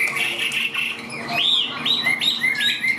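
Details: Short passage from a tame caged Chinese hwamei: sustained bright whistled notes, a rounded arching whistle, then a few quick rising and falling phrases in succession.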